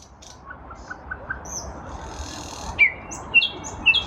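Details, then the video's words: Nightingale singing in a lilac bush in spring 2023: faint high notes early, then louder sharp whistled phrases rising near the end, set against a steady low background hum. "Nightingale in a lilac bush"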